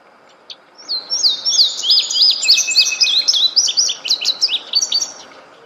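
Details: Small bird singing in quiet nature: a lively string of high, sharp chirps and quick whistled slurs, repeated several times a second for about four seconds, with a faint hiss of background.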